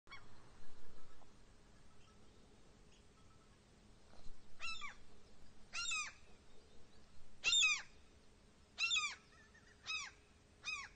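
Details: Lost baby gull in Norway crying for its mother; after a quiet start, a series of sharp, downward-slurred cries comes roughly once a second, with a steady low hum in the background.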